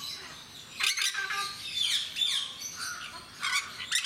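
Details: Jenday parakeets kept at Mysore Zoo, a species described as having a very loud, shrill call; harsh, shrill squawks burst out near the one-second mark and again toward the end, over a steady background chatter of other birds.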